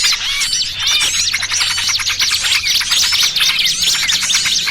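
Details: Frantic high chirping of many small birds, a trapping lure blending trucukan ribut with pinched-bird 'burcil kejepit' cries; looping squeaky notes and sharp tweets overlap without pause.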